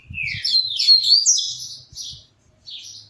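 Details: Double-collared Seedeater kept in a cage, singing as it changes perches: a rising whistled note flows into a fast, buzzy, warbling phrase, then a short pause and one more high note, with faint low thuds.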